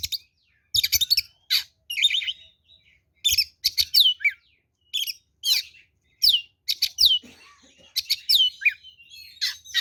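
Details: Oriental magpie-robin fighting song, of the kind used as a lure to provoke an aggressive reply: loud, varied phrases of sharp whistles, downslurred notes and rapid chattering bursts, separated by brief pauses.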